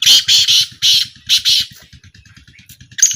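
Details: A black francolin in a 2025 calling trial gives a fast series of harsh, scratchy notes that fade out, then one sharp note at the end, over a regular low rhythmic beat.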